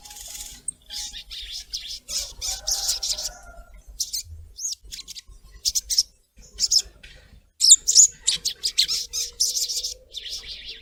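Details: Female collared kingfisher calling the male: long runs of harsh, high chattering notes repeated about three times a second with brief silences between bursts and a few thin whistled notes.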